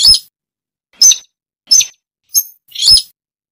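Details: Rail known as sintar or tikusan, its call used as a lure for trapping: five loud, harsh, rasping high notes in close succession, roughly every half second, with no other sounds.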